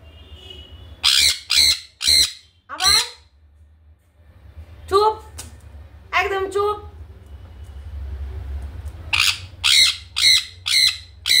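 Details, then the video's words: Young sun conure whose plumage is turning yellow, screeching nonstop: sharp raspy squawks in clusters, then a woman speaking Bengali, then another run of rapid harsh screeches. "sunconure sound.."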